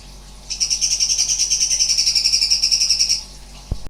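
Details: Sooty-headed bulbul (cucak cungkok) singing strange 'nembak' notes: a dense, fast, high trill of ringing pulses lasting nearly three seconds, ending in quiet broken by a single low knock.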